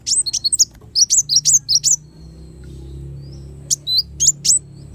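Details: Sunbird known locally as kolibri wulung, kept as a tutor song for cage birds: a quick run of sharp high chirps, then about two quiet seconds, then a few more thin twittering notes over a soft low hum.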